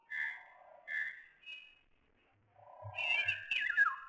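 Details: A young northern goshawk, filmed one afternoon at a kingfisher camera, gives three thin, plaintive whistled calls about half a second apart, then a harsher, broken wailing run mixed with low knocks.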